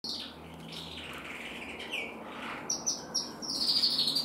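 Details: Red-black intensive canary hen bred in 2024: thin high chirps and short whistled notes, some rising, scattered at first and then clustering into quick repeated bright notes near the end.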